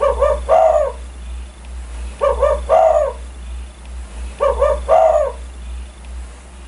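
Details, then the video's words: Spotted dove in strong voice, giving a 'kuk 1' call said to set other birds calling. Three phrases come about every two seconds, each two short coos and a longer, throaty, wavering coo, backed by a low steady hum. "Burung tekukur gacor idaman kuk 1 bikin geger burung lain ikutan bunyi"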